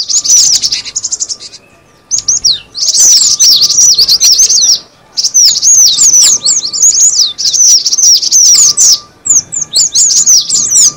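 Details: Cinereous tit lure recording with high, rapid, down-slurred chirps in several dense bouts separated by short silences near two and five seconds.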